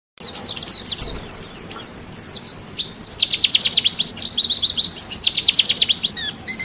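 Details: White-eye (pleci) song from a national-champion bird, used as masteran training audio for songbirds: a rapid, high, thin warble of descending chirps that runs into long buzzy trills of quick repeated notes.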